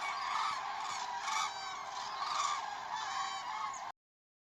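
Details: Common crane (Grus grus) recorded in Vanamõisa village, Haljala parish, Lääne-Viru County, Estonia: loud, rich, bugling honks in a few ringing bursts over about four seconds, then the sound cuts off abruptly.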